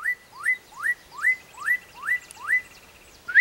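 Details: Black-capped donacobius singing: a series of seven loud rising whistles, each sweeping upward and ending on a level note, repeated about every 0.4 seconds, with faint higher chirps in the background.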